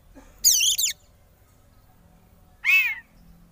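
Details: Oriental magpie-robin (kacer) in the frenzied 'konslet' singing style, used as a lure to provoke rival birds: a rapid burst of high, wavy descending notes, then after a pause an arching phrase of slurred, bending whistles.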